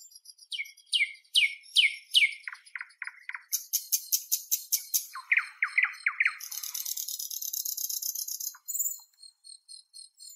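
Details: Northern European common nightingale singing a varied sequence of phrases: repeated descending whistled notes, a run of rapid clicking pulses, a buzzy high rattle, then a sustained shrill trill ending in short chips. No other sounds.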